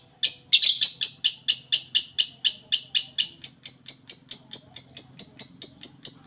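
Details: Lovebirds in a shared cage, calling noisily: a harsh opening burst followed by an unbroken run of piercing, high chirps, roughly four a second, evenly spaced throughout.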